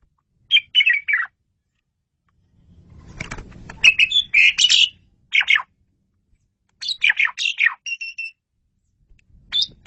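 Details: Asian pied starling (jalak suren), described as a lively, very active singer, heard as a training master recording: bursts of squeaky, chattering notes in separate phrases, with a brief low rustling noise near the middle.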